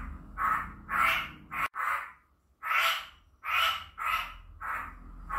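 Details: Chinese hwamei sounds meant to stir a lazy bird to sing: a run of rough, scratchy chattering notes roughly twice a second, broken by a brief silent gap before the bursts resume.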